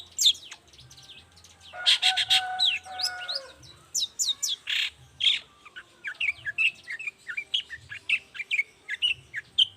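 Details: Lively long-tailed shrike heard in the morning, its song used to draw answers from quiet shrikes: a varied medley of scratchy chatter, short whistles and squeaky notes, delivered rapidly and irregularly.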